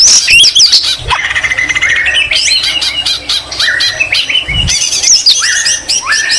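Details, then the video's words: White-rumped shama in full song, its song stuffed with greater green leafbird (cucak ijo) mimicry: rapid high chattering squawks and descending sweeps, then steady shrill notes and rising slurs, with brief low thumps. "Murai batu isian cucak ijo Gacor Mewah"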